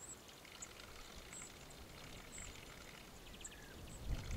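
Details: Spotted flycatcher in İzmir, Turkey, in September 2023, giving thin, very high, short 'tsee' notes at irregular intervals, about six in four seconds, over a steady low rumble like running water or distant traffic.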